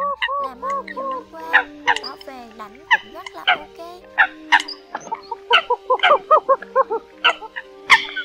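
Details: Eurasian coots on a lure track used for bird trapping: bursts of quick, honking harmonic notes, some in rapid runs, layered with a steady droning tone in the background.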